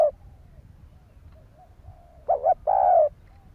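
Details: Spotted dove calling to stimulate other doves, mostly quiet at first, then a clipped double coo followed by a longer, fuller drawn-out coo; soft low background hum.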